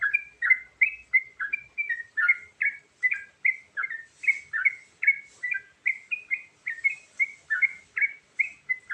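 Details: Sooty-headed bulbul in varied fill-in song used for luring: a continuous, evenly paced string of rich slurred whistles, about two notes a second, bouncing between higher and lower pitches, with faint hissing noise at times.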